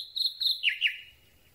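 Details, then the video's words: Night song of a Common Nightingale taken from very near: two pairs of high piping notes followed by two lower, slurred, descending whistles, clear against a quiet dark background. "Słowik Rdzawy piękny śpiew"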